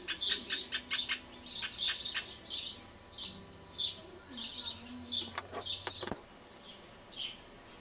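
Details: Rufous hornero in a tree beside a house on a small rural property, described as builder and singer: loud, rapid clusters of sharp, high chattering notes repeated in quick bursts over several seconds, with a faint low hum beneath.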